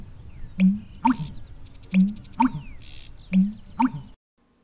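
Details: American Bittern, a secretive marsh bird of cattails nicknamed thunder pumper, giving its gurgling, clunking pump-er-lunk song, a low hollow boom with a gulp, three phrases about every 1.4 seconds.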